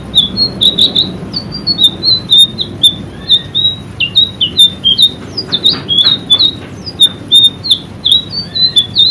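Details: Training recording for caged birds of an energetic white-rumped shama: loud, rapid bursts of short whistled and chirpy notes, often paired, with brief clicks between phrases.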